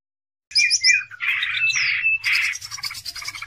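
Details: Greater green leafbird song used as a lure for training other birds, a gacor cucak ijo with a chattering, imitative style: sharp whistled slurs, then a buzzy rising-and-falling run and dense rasping phrases.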